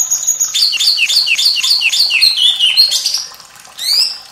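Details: White-rumped shama song for training juvenile and reluctant birds: a fast series of loud, slurred descending whistles, about eight in a row, sliding lower, then a short buzzy flourish after a brief gap.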